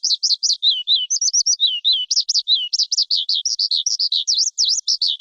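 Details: Kept lark sings a brisk medley of chirps, short falling slurs and V-shaped whistles, steady and unbroken for five seconds, without background noise.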